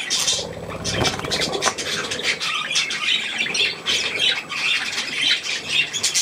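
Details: Budgerigars feeding on millet with their young, with a constant chatter of high-pitched chirps, scratchy squawks and warbles from several birds overlapping.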